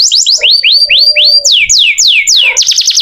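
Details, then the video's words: Canary (kenari) song: loud, fast series of slurred whistles, first rising sweeps, then long descending whistles, ending in a rapid trill of repeated notes, with a soft lower buzzy tone underneath. "Kenari gacor"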